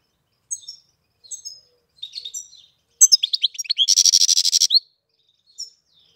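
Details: European goldfinch song in April: spaced thin high notes, then a tumbling burst of liquid twitters ending in a loud, rapid buzzy rattle, with a last faint note.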